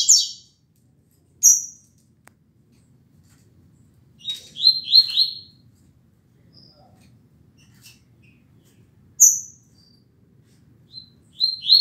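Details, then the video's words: Rusty-collared seedeater at dawn, 6:30 a.m., 16 December 2019, giving the tuitui song. Scattered short, sharp high notes and brief buzzy doublets, separated by several seconds of near silence. "CANTO TUITUI CLASSICO"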